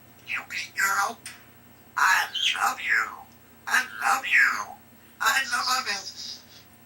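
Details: A talkative three-year-old pet African grey parrot produces speech-like phrases in four bursts of harsh, bright-toned syllables separated by short pauses, indoors in a small room.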